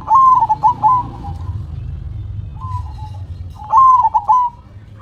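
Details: Zebra dove giving stuttering, rolling coo phrases, one loud burst at the start and another near the end, with a soft short coo between them over a faint low hum.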